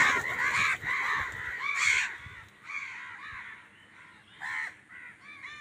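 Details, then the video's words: Angry crows squabbling with wild birds over food give overlapping hoarse caws, a dense burst in the first two seconds, then scattered single caws over a noisy outdoor background. "Angry kawa ki awaaz"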